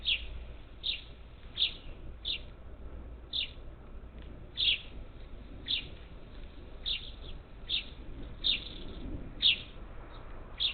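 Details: Flock of up to ten parakeets visiting a feeder near Houston, Texas, on the Gulf Coast, 27 July 2021; a steady run of sharp, scratchy squawks about twice a second, with fainter calls between, over low background rumble.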